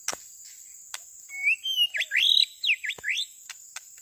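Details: White-rumped shama used as a lure inside a forest: a bright whistled phrase of rising and falling slurred notes, several quick swooping whistles in a row, over a steady high insect drone with sharp clicks.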